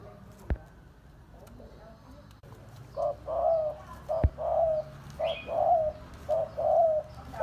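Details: Spotted dove giving its cooing voice: two sharp clicks stand out, then a run of low, mellow paired coos, a clipped note then a drawn-out one, repeated about four times, with a brief higher chirp from another bird.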